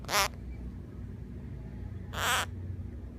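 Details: A pet orange-fronted (half-moon) parakeet, being pampered, gives two short, sharp, hissing sneezes about two seconds apart over a low room hum.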